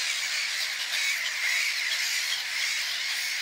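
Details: Black-headed gulls at a breeding colony on Bird Island, Sĺňava reservoir, Piešťany, Slovakia, 26 April 2015; a dense, unbroken chorus of harsh, overlapping squawking calls from many birds.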